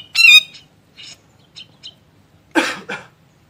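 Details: Grey-cheeked bulbul master recording for training songbirds: a loud whistled note with harmonics, a few short soft chips, then two harsh rasping bursts.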